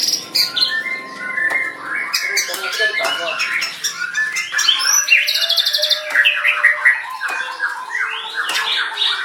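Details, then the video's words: White-rumped shama singing a dense, varied song of whistled phrases, sharp chirps and rapid buzzy trills, mostly high-pitched, with fast strings of clicking notes and almost no pauses. "MB CENGLI"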